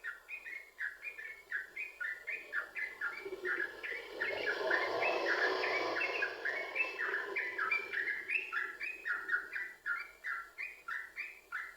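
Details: Yellow-vented bulbul in lively, continuous song used as a lure to get other bulbuls singing: bubbly two-note chirps repeated about four per second for the whole stretch, with a louder, denser burst in the middle.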